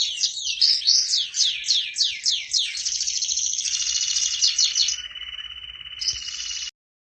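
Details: A prize-winning, vigorously singing canary delivers a run of quick downward-slurred notes, then a dense rolling trill that drops to a steady lower buzz before a brief pause and a final high burst.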